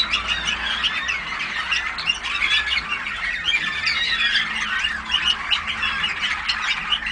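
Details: Young Malinois canaries of the Waterslager breed, several together, 14 August 2009: unbroken overlapping warbles and chirps, a busy high-pitched chatter with frequent quick trills.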